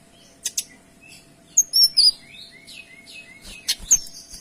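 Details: Kinoy singing a dense, clear song for tutoring other songbirds: scattered chips, then loud high whistled notes and a run of softer descending slurred whistles, ending with a sharp high note.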